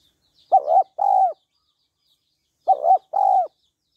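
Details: Two identical phrases from a female spotted dove stimulating a male: a clipped double coo then a sustained husky coo falling at the end, with a quiet pause of over a second between phrases.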